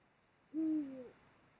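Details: One low, mellow hoot from a Eurasian eagle-owl during copulation season along the Mosel, Germany, late January 2022, held level for about half a second before sagging slightly, with a faint steady hiss underneath.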